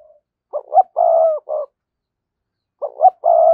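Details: Lure call of a spotted dove meant to attract wild doves: short rising notes, a long low coo and a clipped ending note, then the phrase starting again.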